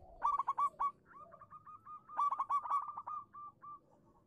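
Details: Local zebra dove song meant to prompt silent doves to reply: a sharp burst of stuttered coos, then a long unbroken string of rapid whistled notes that rises to a second loud burst and fades in spaced coos.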